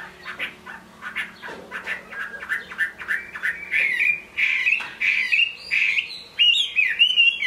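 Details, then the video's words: Chinese hwamei in a cage singing as rain falls: starts with short harsh chipping notes, then builds into loud clear whistled phrases, upslurred and repeated. "Họa mi hót trong mưa"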